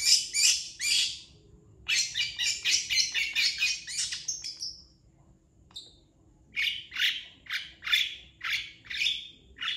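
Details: Long-tailed shrike singing a master song meant for training other birds: loud harsh chirp series, a pause with a single faint whistle, then regularly spaced sharp notes roughly twice a second.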